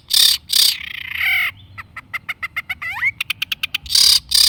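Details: Long-tailed shrike song used as a lure to prompt other shrikes to sing: harsh buzzy bursts, a downslurred whistle, rapid clicking ticks and a rising note, ending in loud raspy chatters.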